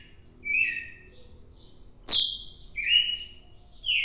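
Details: Red-cowled cardinal heard on 4 December: separate clear whistled phrases, mostly level or gently falling notes, coming about once a second, with one sharp loud downward note near the middle; faint low background noise.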